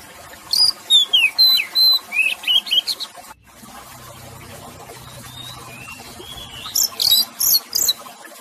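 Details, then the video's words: Oriental magpie-robin giving a quick run of clear, varied whistles and slurred high notes in two bursts, over a steady hiss of running water. "PEMULIH KACER STRES SERTA MACET BUNYI"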